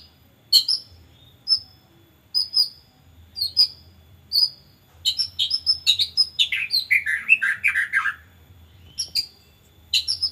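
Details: White-rumped shama lure song for training: spaced clear whistles about once a second, building into a dense tumbling run of descending warbled notes, then sparse whistles again over a low background hum.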